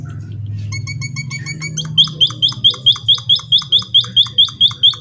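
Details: Emprit kaji song opening with a quick train of thinner, flatter notes over a loud low hum, then switching to a regular series of sharp, falling whistles repeated about three times a second.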